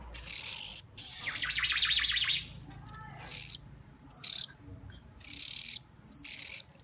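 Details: Hungry bird begging while being hand-fed: shrill high-pitched chirp bursts in quick succession, separated by short silences, with a brief raspy buzzy stretch early on.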